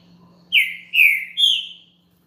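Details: A captive green-winged saltator (trinca-ferro) sings a champion's song, played to warm up other birds: three loud, rich whistled phrases in quick succession, the last pitched slightly higher, over a faint low hum.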